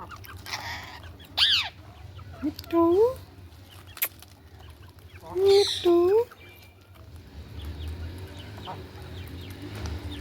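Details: Ringneck parrot giving two loud bursts of harsh, harmonic-rich calls, each a quick run of upward-sweeping notes, near the start and middle, with soft background chirping and a low steady hum between.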